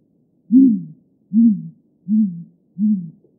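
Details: Great grey owl song: four deep, hollow hoots, each falling slightly in pitch, spaced under a second apart against a silent background.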